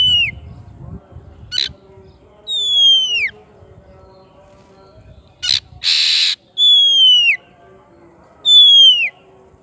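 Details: Oriental magpie-robin singing to call its rival in ngeplong style: long downward-gliding whistles repeated, broken by short clicks and a loud harsh rasping burst near the middle.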